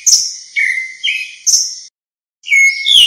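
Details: Grey-backed thrush calling its flock, clean recording without background noise: clear whistled phrases, some high and thin, others lower and level, in short bursts about every half second, then a pause and a rising final phrase.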